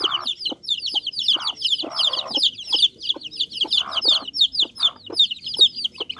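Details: A brood of Bangkok chicken chicks keeps up high, rapid, overlapping cheeps without pause, while scattered clicks and short rustles sound beneath the chorus.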